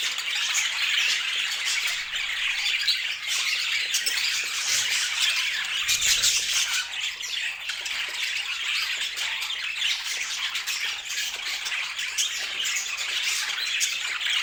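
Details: Vividly coloured budgies kept as pet birds chirp and warble in a long, busy flock chorus, quick squeaky notes tumbling over one another at an irregular pace.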